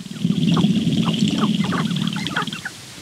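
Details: Morning lek of sharp-tailed grouse, a female looking for a mate among intensely displaying males; a short burst of fast, irregular clucking and cackling notes over a low droning rumble, fading near the end.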